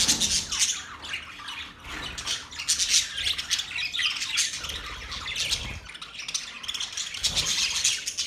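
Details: Harsh parrot squawks mixed with fast scratchy chatter, a constant flurry of overlapping high calls for several seconds.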